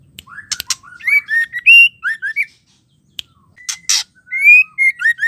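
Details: Female white-rumped shama singing to excite male birds: clear, fluty whistles and quick slurred note pairs in short bursts, broken by a pause and two sharp clicking taps.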